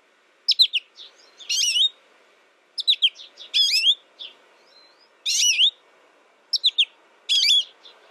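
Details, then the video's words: American goldfinch calling in short paired bursts: quick high chips followed by a wavering, rising whistled note, the pattern repeated about every two seconds with quiet gaps between. "American Goldfinch Sound"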